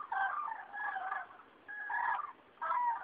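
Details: Spring passage of cranes above Rochechouart, France, 15 February 2013: loud, rolling, trumpet-like calls in three long bursts with a short quiet gap between them.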